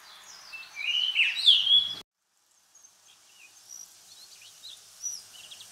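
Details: Blue rock thrush, a Japanese wild bird of farmland, grassland and waterside, gives a loud two-second burst of mid-high, warbling, fluty notes. It breaks off abruptly, followed by faint, thin high chirps.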